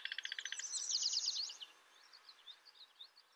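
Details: Indigo bunting: a quick run of evenly spaced high notes merging into a jumbled, squeaky phrase, followed by softer scattered chips over steady background hiss.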